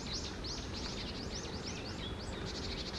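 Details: Japanese tit calling at Okurayama Park: a quick run of about eight arched, slurred notes, high and somewhat raspy, then a buzzier stretch near the end, over steady low environmental rumble.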